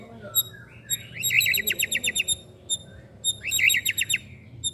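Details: Young white-rumped shama, a caged bird, singing two rapid rattling trills of sharp repeated notes with bright high overtones, each preceded by short whistled slurs, over a faint low hum.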